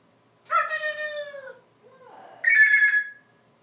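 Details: Lone African grey parrot vocalizing on its porch perches during a live session: a strong harmonic call that slowly falls in pitch, a soft low murmur, then a higher, steady, rich-toned call.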